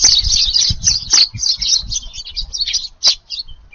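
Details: Sparrows visiting a garden for an evening feed on 18 July as the wind picks up; rapid, scratchy high chirps tumbling over one another, fading toward the end, with low rumbling wind gusts and fluttering underneath.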